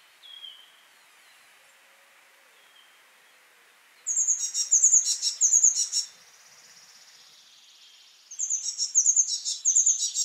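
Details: A wild great tit (Parus major) gives two bursts of rapid, high, ringing repeated song notes a few seconds apart; faint thin whistles are heard near the start.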